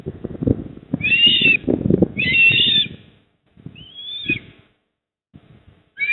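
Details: At a Port Lincoln nest in South Australia, 28 October 2024 near 19:26, an eastern osprey utters two drawn-out whistled squeals, a pause, then a thinner rising-and-falling whistle, with low rumbling noise underneath.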